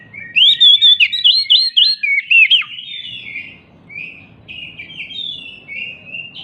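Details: Oriental magpie-robin, excited and hopping, sings to draw song from silent magpie-robins. Fast looping whistles repeat for about two seconds, then a dropping slur, then a trail of softer warbled phrases.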